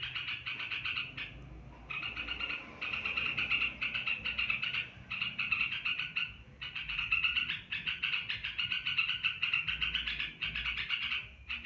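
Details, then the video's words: Olive-winged bulbul delivering extended ngebren panjang song: long stretches of rapid, rattling chatter broken by brief pauses every few seconds, then resuming at full strength; steady low background noise. "merbah belukar ngebren panjang"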